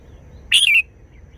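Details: One brief, loud, rich whistled phrase from a kept red-whiskered bulbul singing its short wild-style song, a quick warble that falls and trails off in about a third of a second, quiet surroundings.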